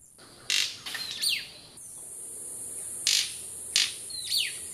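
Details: Male White-collared Manakin courting a female at his cleared dancing spot in Eco Centro Danaus, Costa Rica: about six loud, sharp, snapping cracks in irregular bursts, some followed by short high descending buzzy sweeps.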